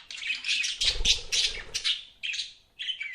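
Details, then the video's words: Budgies chirping: rapid scratchy chatter and buzzy notes, then two short separate chirps near the end, with low thuds partway through. "BUDGIES CHIRPING SOUND"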